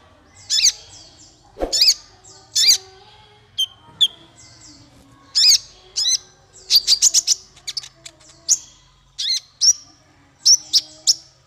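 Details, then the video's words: Male kolibri ninja (konin) singing, recorded as a tutor song for songbirds: loud, sharp, downslurred high chirps in uneven series, a quick stuttering cluster midway, and thin whistled notes. "Suara konin untuk masteran burung 100%jitu konin jantan"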